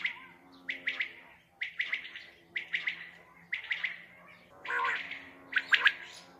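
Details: Common quail at night, a recording used for quail hunting: a steady run of quick three-note phrases about a second apart, broken once by a longer, smoother tone before the phrases resume.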